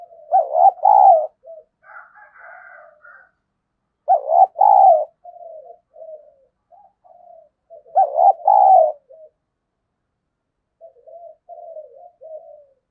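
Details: Decoy spotted dove giving 'thúc gù' and calling coos to lure wild birds: three loud, low, throaty three-part coo phrases about every four seconds, with softer murmured coos in between. The setting is otherwise quiet.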